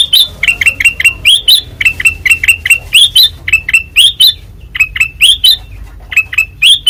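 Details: Kutilang emas (Ruby-throated bulbul), white-eyed form, in loud ngeplong song: bright, fast chirped notes, each swooping up then down, repeated steadily with a few brief gaps.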